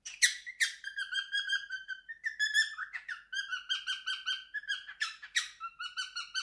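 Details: Indoors, a pet male cockatiel of three years performs his favourite song, mixing sharp squawky onsets with level whistled notes and short rising slurs in a continuous, lively stream.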